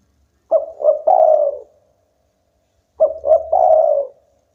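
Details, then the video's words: Spotted dove of a local type, singing eagerly enough to set rivals calling: two low three-note coo phrases about two and a half seconds apart, each with two quick notes and a long fading final coo. "tekukur lokal gacor bikin lawan ikutan bunyi"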